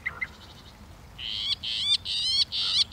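Northern mockingbird: a few thin high notes, then a loud, harsh, buzzy phrase repeated four times in quick succession, about every half second.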